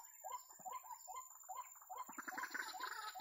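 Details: White-breasted waterhen, known locally as ruak-ruak, calling in a bird-trapping setting: a rapid run of harsh, arching nasal notes repeated more than twice a second, growing louder and busier toward the end.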